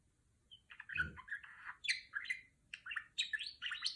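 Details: A female budgerigar kept as a pet mimics R2-D2 in clear, whistled, electronic-like chirps and bleeps. The short bursts rise and fall in pitch and come in quick groups separated by small gaps. A soft thump is heard early on.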